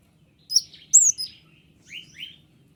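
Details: White-winged triller singing as a tutor for lazy songbirds. Two high downward-sliding whistles are followed by two softer, lower rising notes, then quiet.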